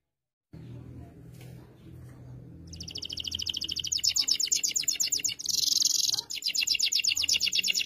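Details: Singing canary used as a tutor for a young canary learning its song: after quiet room noise, a long fast high trill of repeated notes begins, broken by a brief harsh buzzy burst, then rapid trilling resumes.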